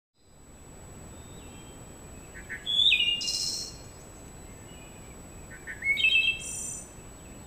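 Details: Wood thrush singing in a forest, captured by a game camera. Two phrases a few seconds apart, each with soft low notes, a fluty rising whistle and a high buzzy trill. A steady high-pitched electronic whine and broad hiss run throughout.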